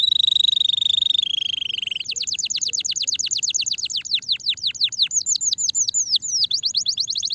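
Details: Canary song meant to rouse a sluggish canary: a sustained buzzy tone gives way to a long rolling tour of rapid descending whistles, then higher curling phrases repeated in quick succession.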